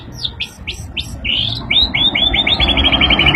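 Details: White-rumped shama excited by a played sound: a few upswept whistles, then a fast run of identical short notes accelerating into a trill, over steady low hum.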